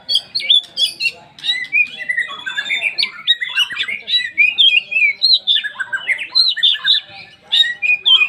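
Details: Oriental magpie-robin singing a full 'poci' lure song meant to trigger other magpie-robins: dense, continuous warbling of whistles, slurs and harsh squawky notes, varied and rapid, barely pausing.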